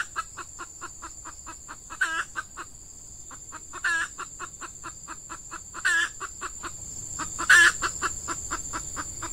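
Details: Female red junglefowl decoy luring wild cocks during the active season in peat scrubland. A rapid, regular run of clucks is punctuated by four loud rasping squawks about every two seconds. A steady high insect drone continues throughout.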